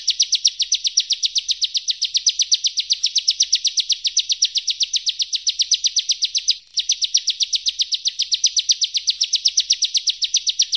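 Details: Bar-winged prinia (Prinia familiaris) song: a fast, unbroken run of sharp, high notes, about four a second, like rapid fire, with one brief break midway.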